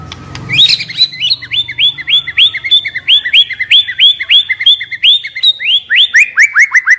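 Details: Young forest-caught white-rumped shama, described as stressed, singing as a lure to stir other shamas into song: a fast, even run of about twenty bright upslurred whistles, each rising sharply then dropping, closing with lower falling notes.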